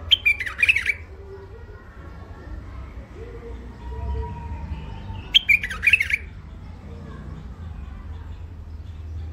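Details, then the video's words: First-isolation hybrid finch (mule) with a thick throat sings two brief bursts of rapid twittering notes about five seconds apart, separated by quiet room hum. "مخلف وحشي علوازي أول عزله حنجره ثخينه"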